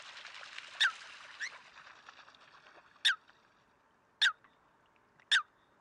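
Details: Eurasian coot calling in Greece in February 2023: four loud, explosive, clipped notes at irregular intervals, with softer chatter between the first two notes over a quiet background.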